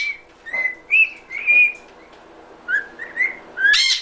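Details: Pet cockatiel whistling the Happy Birthday tune: clear whistled notes, some sliding and some steady, in short phrases with pauses, ending in a harsh, raspy squawk.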